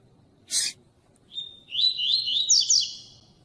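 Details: Tui tui double-collared seedeater song meant to heat up cold males into singing: a sharp click, then a held buzzy note leading into fast rising and falling trills.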